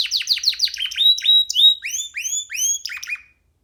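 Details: Canary chick singing while sitting on a hand, out of any cage: quick downward chips, then clear rising whistled phrases repeated about three times a second, ending abruptly in silence.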